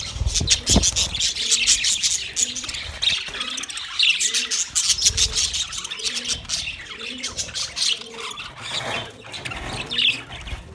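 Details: A flock of budgies recorded 9 March 2024, giving nonstop high, scratchy twitters and chirps, with a soft low coo repeated roughly every second throughout.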